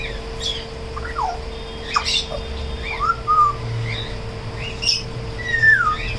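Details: African grey parrot, a tame bird, giving scattered whistled notes, some sliding downward in long slurs, mixed with short chirps and a few clicks, constant low hum in the room.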